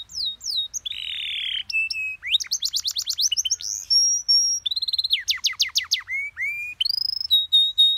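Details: Canary master song with sweet, easily copied phrases for young birds: varied segments of buzzy notes, rapid staccato trills, rising whistles and long thin level tones in quick succession.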